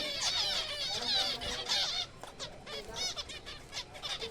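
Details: Kept zebra finch breeding colony in April: dense chatter of nasal, trumpet-like notes with stacked harmonics for the first two seconds, then sparser separate calls, several birds calling at once.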